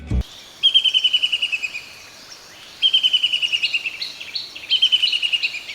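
Black-capped Kingfisher giving three loud, ringing cackles of a dozen or more rapid high notes, each slightly falling, about two seconds apart; a brief click at the start.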